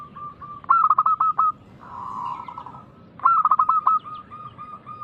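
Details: Local zebra dove singing to encourage other doves: two phrases of quick, rolling coo notes with clicks, separated by a softer buzzy coo, over a steady background hum.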